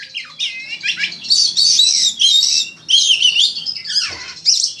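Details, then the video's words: Oriental magpie-robin (kacer) as a contest master recording: continuous rich warbling of high whistles and buzzy trills in rapid phrases, with a brief low rasp near the end. "Masteran Burung Kacer Untuk Lomba"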